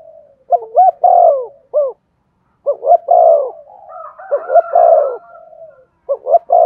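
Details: Spotted dove cooing to encourage singing; repeated low phrases of short rising notes, long descending coos and closing hoots, with a second dove's softer overlapping coos in the middle.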